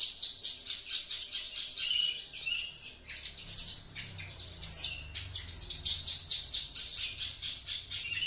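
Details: Two-month-old Javan Horsfield's bush lark, already imitating its tutor song, sings a fast, varied run of high chirps, trills and rising whistles, with brief pauses; a low background hum is faint.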